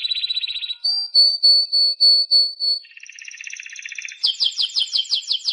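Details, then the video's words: Timbrado canary singing: a rapid rolling trill, then a series of clear, evenly spaced whistled notes over deep low tones, a buzzy lower trill, and finally fast, bright, repeated chip notes. "CD Canario Timbrado"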